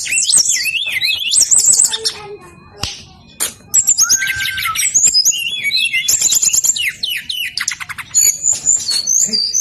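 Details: Brown-chested jungle flycatcher singing persistently, used to lure lazy birds of its kind into singing: dense run of high, thin whistled and twittering phrases, some sweeping down then up, with short pauses between bursts and faint background music.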